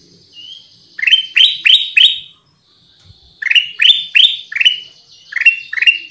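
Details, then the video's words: Black-capped bulbul lure song used to attract birds: short bursts of loud, bright rising chirps, about four, then five, then two, separated by brief pauses, with faint high thin whistles in the background. "SUARA PIKAT AMPUH KUTILANG EMAS"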